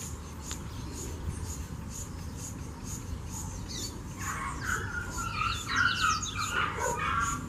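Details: Double-collared seedeater singing in the bush: after about four seconds of low rumbling background noise, a burst of bright warbled and chirping notes begins and continues to the end, partly masked by steady hum.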